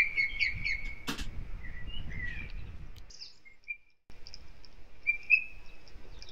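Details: Osprey pair at their nest in Kurzeme, Latvia, on 23 April amid wind, rain and wet snow; a series of thin, high whistled chirps and short piping notes, a sharp clatter near the start, a brief pause, then more whistles.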